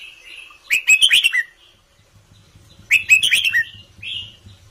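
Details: Red-whiskered bulbul, kept in a cage, repeating a lively warbled phrase of about five rich, fluty notes twice, about two seconds apart, ending with a slurred whistle, over a faint low hum.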